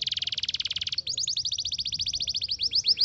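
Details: Canary song opening with a fast, even buzzy trill, then switching to a quick run of high swooping notes that slow toward the end.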